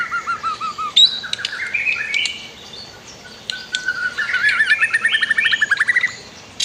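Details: Master song of a white-rumped shama, set against river sounds for bird training: varied whistles and sharp clicks, then a rapid rattling trill of closely spaced notes rising in pitch.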